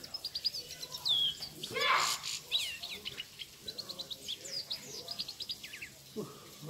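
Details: Grey-crowned goldfinch in Khujand, singing a lively run of quick, high twittering chirps and short trills, broken by a loud noisy burst near two seconds and a low note near the end.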